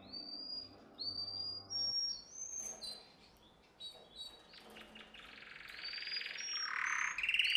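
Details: Canary song for training young canaries: scattered high whistled slides and clicks at moderate volume, a quieter stretch, then a swelling loud buzzy roll near the end, with some background noise.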